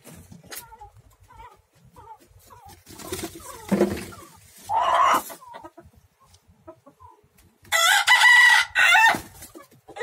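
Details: Three roosters fighting: scattered clucks and squawks, then a loud harsh crow around the eighth second, with scuffling between calls.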